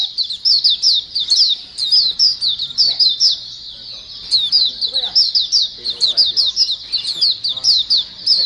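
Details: Group chorus of white-eyes used as a lure sound to draw in other white-eyes: dense bursts of rapid, high, squeaky chirps and twitters repeating about every half second, briefly easing midway before resuming strongly.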